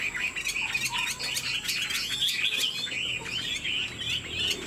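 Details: Caged Chinese Hwamei singing in head-nodding 'lion dance' style: a chain of rippling whistled notes over a noticeable background hiss, with clicks and faint lower sounds.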